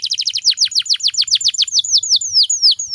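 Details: A female canary in breeding condition, used to lure males into singing, gives a rapid series of high, down-slurred chirps, about three or four a second, slowing and stretching into longer sweeping notes toward the end.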